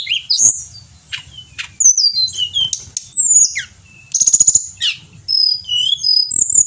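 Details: Pied bushchat in energetic song, recorded to train other songbirds in Indonesia: scattered sharp chips and slurred whistles, then a rapid buzzy trill, followed by sweet falling whistled phrases.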